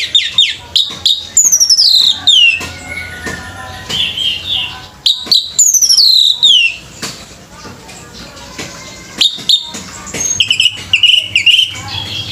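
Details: Orange-headed thrush at a bird singing competition delivering loud, rapid whistled phrases that slide steeply downward, repeated in bursts several times a second, with sharp clicks and faint background voices.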